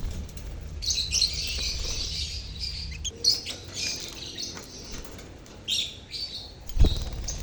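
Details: Chirping lovebird colony, used to encourage silent lovebirds to sing: steady stream of high, scratchy overlapping chirps from many birds, with a sharp knock near the end.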